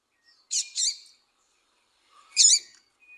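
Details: Female double-collared seedeater calling to stimulate a male to sing: two short, harsh, high chirps close together, then a single chirp after a pause of about one and a half seconds. The background is otherwise quiet.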